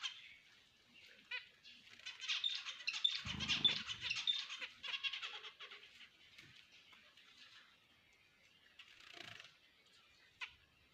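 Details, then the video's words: Finches singing in a dense, continuous chatter of high twittering and chirping notes, busiest in the first half, with a brief low rumble near the middle and quieter scattered calls afterward. "finches birds singing!!finches birds ki ouaz!!"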